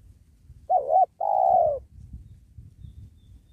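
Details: Spotted dove coo used in luring wild doves for trapping near a sacred tree: a wavy short note followed by a long, steady, gently falling note, with low rumbling noise afterward.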